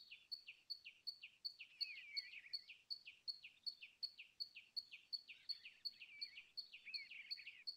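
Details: Steady, rhythmic common tailorbird song: bright, high, clipped notes repeated nearly three times a second for eight seconds, while a second bird adds warbling phrases in the background.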